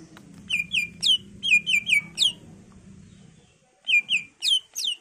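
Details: Greater green leafbird singing hard, used as a lure for other leafbirds to answer: rapid doubled and tripled whistled chirps sliding downward, over a low background hum.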